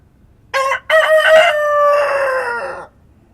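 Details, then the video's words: Rooster crowing at dawn in the countryside: one full crow, a short opening note, a brief gap, then a long harmonic-rich call that holds level and slowly falls before stopping, over quiet rural ambience. "Rooster Crowing at Dawn"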